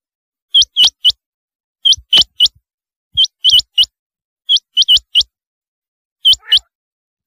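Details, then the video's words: Rain quail, known locally as chinga batair, repeating bright, high notes that rise sharply at the end. The notes come in groups of two or three, about every 1.3 seconds, over a silent background. "Chinga Batair ki awaz"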